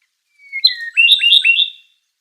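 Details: Okinawa nightingale song: a clear, high phrase opening with a thin, slightly falling whistle, followed by a quick series of bright, rippling slurred notes lasting about a second, with no other sounds.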